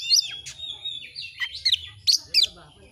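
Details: Short phrase from an Oriental magpie-robin (kacer), masteran recording for training: a few loud whistled slurs and sharp high notes separated by short gaps.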